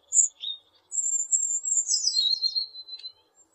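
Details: Blue tit singing: a high whistled phrase near 8k that slides downward into a fast buzzy trill around 4k, preceded by a few short thin notes; otherwise quiet.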